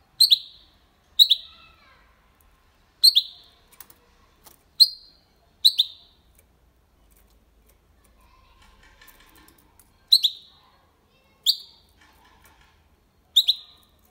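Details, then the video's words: Goldfinch and canary hybrid singing cleanly, without faults, to stimulate females and teach young goldfinches and hybrids: about nine short, sharp, high chirps, each with a bright click, spaced irregularly by quiet gaps of one to four seconds. "Mixto de Jilguero Cantando Limpio sin errores (copia malaga) Hybrid de Chardonneret chantant propre"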